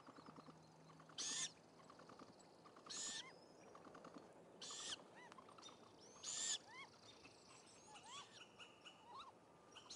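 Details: Great gray owl at a wild nest, where the father delivers a rodent and the youngest chick swallows it: loud, harsh, hissing screeches repeated about every one and a half seconds, with thin rising whistled notes between them.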